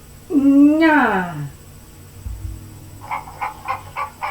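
A hen gives one drawn-out, rising then falling squawk, then a short run of five quick, evenly spaced clucks, in a quiet room.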